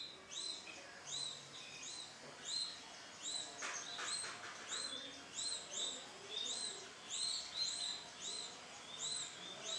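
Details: Male canary with bright lemon plumage sings doubled whistled notes in a steady repeated pattern, interrupted once by a brief burst of clicks.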